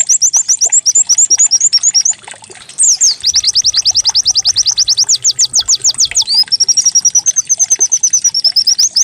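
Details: Lure recording of white-eye song, canary-like, intended to make the bird start singing: bouncy high chirps, a short gap, then dense falling sweeps and a level, shimmering high trill to the end.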